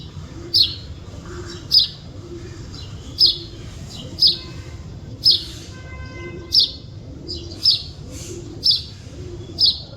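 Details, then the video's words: A bird (chidiya) chirping in nature gives around eleven crisp high chirps, roughly one each second, with a brief steady tonal hum near the middle and faint low murmur beneath. "Chidiya Voice Sound"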